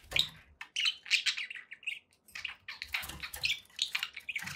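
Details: Pet budgies chattering indoors, a busy mix of scratchy warbles and short chirps in bursts, with brief pauses between phrases.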